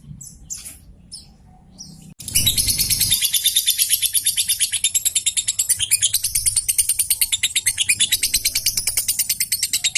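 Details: Fighter-type lovebird chattering at full intensity, a sound meant to make other lovebirds sing along. After two seconds of quieter scattered chirps comes a dense, rapid, high-pitched chatter. Its pulses repeat about three times a second without pause.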